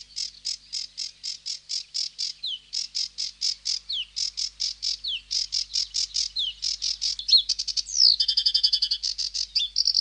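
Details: Sedge warbler singing a busy, rhythmic chatter of scratchy notes with intermittent descending whistles, ending in a faster, buzzing trill and churr.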